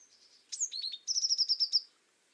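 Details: Azure tit singing over faint background hiss: a high falling note, three descending notes, then a bright rapid trill of about nine evenly spaced high notes.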